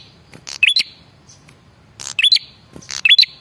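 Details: Male red-headed prinia lure call meant to draw replies, with three loud phrases of a raspy burst and a bright climbing whistle, the last two close together.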